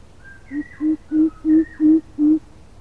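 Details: Coucal call used as a lure: five or six low, hollow, booming hoots at steady spacing, with faint thin whistles from other birds above.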